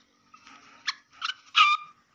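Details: A black francolin gives a call meant to quickly excite other black francolins: a harsh, grating call of three or four rasping notes that grow louder toward the end, with a soft buzzy lead-in.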